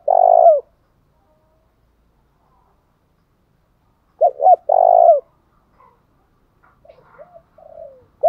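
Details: Spotted dove cooing, used to provoke wild doves into calling: loud, low, hoarse coo phrases with a falling tone, one burst at the start and a double coo about four seconds later, followed by softer trailing notes.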